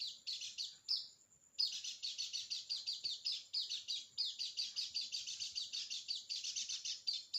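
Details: Lure recording of a white-eye, meant to spur a silent bird into song: fast, high twittering phrases in quick pulses, broken once early by a thin sustained whistle, then continuing without rest.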